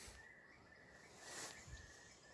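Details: Eurasian curlews singing on a cold spring morning as spring arrives: long, steady whistled notes at a fairly high pitch, drawn out and repeated with brief gaps, over wind and outdoor noise.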